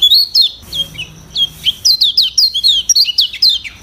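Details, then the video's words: Lemon-bellied white-eye in a varied training song beyond its natural voice: sharp high chirps and downslurred whistles delivered in quick, irregular bursts. "Masteran Kecial Kuning Suara Bervariasi"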